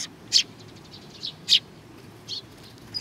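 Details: A few scattered high chirps from sparrows coming to get food at Tenmangu, Nakanoshima, recorded 21 June 2020; three loud clipped notes with softer faint tweets between, quiet background.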